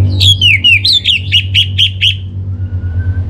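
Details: Song of an orange-headed thrush played as a lure to prompt singing: a run of about eight quick, ringing, repeated notes, then a thin level whistle, with a low droning hum underneath.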